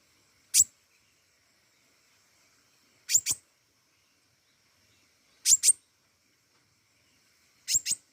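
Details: Pentis raja flowerpecker in lively voice, repeating crisp, high-pitched double chips roughly every two and a half seconds, each pair a fast tick-tick, with silence between.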